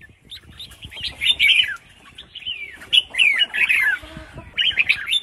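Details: Red-whiskered bulbul female giving calls meant to trigger male singing, three separate bursts of rich, chattering, up-and-down whistled notes with short pauses between them.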